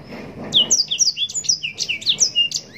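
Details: Yellow-rumped serin, called blackthroat, singing an unbroken fast run of bright, high whistled notes, each sliding down or up, about five notes per second, with a faint low rumble behind.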